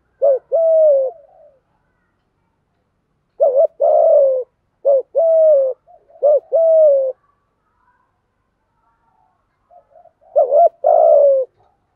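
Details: Continuous 'thúc gù' cooing by male and female spotted doves, meant to make trained decoy birds call: about five phrases over twelve seconds, each a short quavering note then a longer, falling hollow coo, with pauses between.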